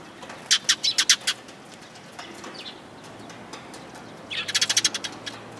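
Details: Sparrows coming to be fed, recorded 29 March 2022 on the way out: two quick bursts of loud, bright chirps, each a run of five to seven sharp notes, separated by a quieter stretch with a few faint chirps.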